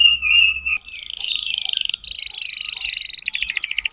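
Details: Singing canary used to train young birds: a low warbling trill, then a higher buzzy trill, a steady even trill, and finally quick pulsed double notes.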